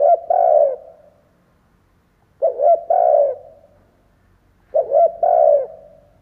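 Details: Decoy spotted dove cooing to draw in wild doves: three repeated phrases, each a quick double coo then a longer sustained coo, roughly every two and a half seconds, in quiet surroundings.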